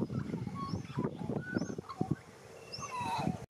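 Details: Young white-backed Australian magpie practising its warble in Australia: clear whistled notes, several short rising slurs and one longer falling phrase near the end, set against a constant low rumbling background and a sharp click at the close.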